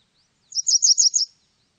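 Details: Slightly lower, fuller series of five chirping notes from a Japanese wagtail, fast and rhythmic, preceded by a faint thin note, otherwise quiet.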